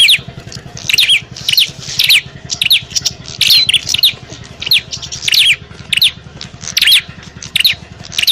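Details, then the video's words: Bar-winged prinia fighting call played to attract wild prinias: short volleys of sharp, high-pitched chirps repeated roughly every second, with a faint low hum in the background. "Suara burung prenjak pikat - prenjak tarung ribut ampuh memanggil prenjak liar"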